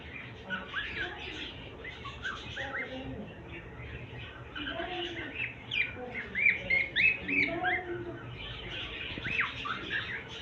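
A cockatiel chirps and chatters in quick, bright bursts, with some faint voices underneath.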